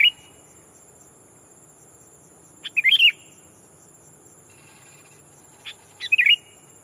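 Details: Decoy sooty-headed bulbul calling out to a rival to lure wild bulbuls: two bubbly, warbled phrases of quick liquid notes about three seconds apart, with a faint tonal chip between, over a steady high whine.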